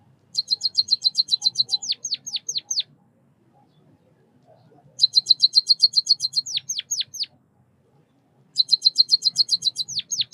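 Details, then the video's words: Lonchura maja, the white-headed munia, singing three bouts: each opens with a fast train of tiny high ticks, then four or five loud descending chirps, with pauses of about two seconds between bouts. "Suara kicauan burung Pipit emprit Bondol kaji gacor 323 | Bird chirping sounds | white headed munia"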